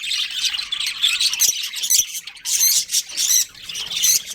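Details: Breeding colony budgies call in dense, scratchy high chirps, with a few louder bursts after 2.5 seconds and short pauses between them.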